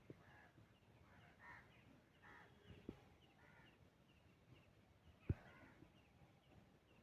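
Jungle babblers give harsh, nasal, squeaky calls at irregular intervals over steady low rumbling background noise, with a couple of sharp knocks.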